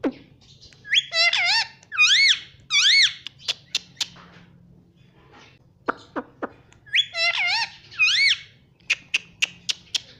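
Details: Pet parrot talking at home: bursts of bright, wavering, harmonic syllables arrive in two clusters several seconds apart, separated by sharp clicks and short squeaks, with a faint low hum underneath.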